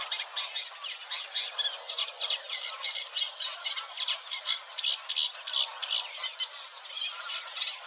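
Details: Singing Eurasian Reed Warbler recorded at Wetering West, Overijssel, Netherlands, on 6 or 7 May 2022, chattering contentedly with slight imitation; rhythmic, grating, high notes repeated about three times a second in a steady, even flow.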